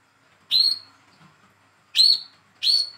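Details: Hand-raised young speckled olive-backed sunbird, captive, calling to prompt a silent bird to sing: three bright, ringing chirps, one alone and then two closer together.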